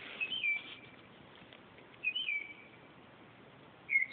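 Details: Nocturnal northern mockingbird at 2:30 am giving clear whistled phrases that slide downward and trail off, three phrases spaced about two seconds apart against a low hiss.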